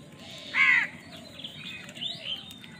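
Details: A crow fighting for food gives one loud harsh caw with stacked bands, followed by fainter thin calls and chatter in the background.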